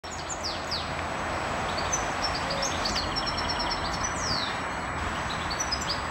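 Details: Goldfinches in a park in Aguadulce, Almería, around midday on 24 April 2013, twitter in quick, tinkling phrases of high chips and falling slurred notes, several birds overlapping, over a steady rumble of distant traffic.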